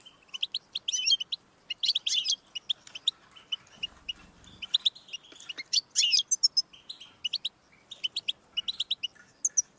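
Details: European goldfinch singing, meant to encourage a pet goldfinch to sing; fast liquid twittering phrases of high chirps and trills in bursts, with short pauses between runs.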